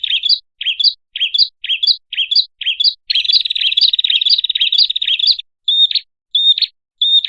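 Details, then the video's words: Lure call of a red-headed prinia, meant to make birds approach: repeated high, hooked chirps roughly twice a second, then a dense buzzy rattling trill, followed by a few clear whistled notes, with no other sounds. "suara pikat burung kecil PRENJAK kepala merah baru//di jamin 💯% auto nyamperin"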